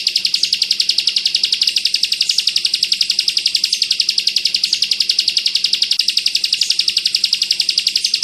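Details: Tutor recording of Bar-winged prinia in the tight bren rapat style: a fast machine-gun train of shrill high chips, regular and continuous from start to end, no pauses, only a soft low background hum.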